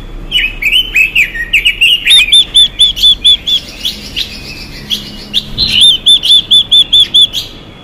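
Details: Chinese hwamei hen, "xùy" style, used to stir up males. Varied slurred whistles lead into long runs of rapid, ringing upslurred notes, repeated over and over with a brief pause midway.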